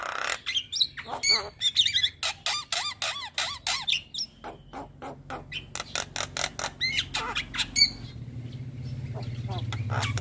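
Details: Nonstop chatter of a Javan myna, used for teaching young birds: a fast string of harsh clicks and looping whistled notes rising then dipping, growing into a rapid rattle before it fades into a low rumbling background.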